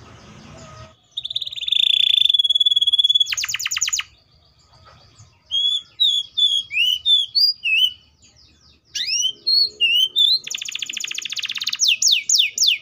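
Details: Varied canary song: a long flat whistled trill, a burst of rapid clicks, soft twittering slurred notes, upswept chirps, then a fast rattling trill ending in falling sweeps; quiet gaps between phrases.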